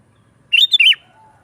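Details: One short phrase from a sooty-headed bulbul singing 'gacor' style, a recording meant to draw in wild bulbuls: three rich, slurred, liquid notes run together in under half a second, the last one dropping.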